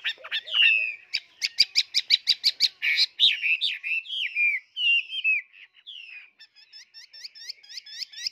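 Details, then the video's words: A tame, very spirited captive Chinese hwamei sings a loud, varied song: a rapid run of about a dozen ringing notes, then slurred whistles and quick repeated chirps. "chim thuần chơi rất xung"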